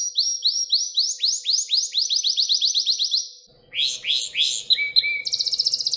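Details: Canary song for training young canaries, a long series of rapid descending whistled notes repeated about four per second, then a pause and a varied burst of trills, short sweeps and a fast high buzzy roll, with a faint steady hum.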